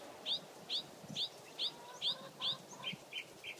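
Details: Mockingbird repeating a bright, downslurred whistled note about every half second, six times, then switching to three lower, shorter buzzy notes, with faint low rumbles underneath.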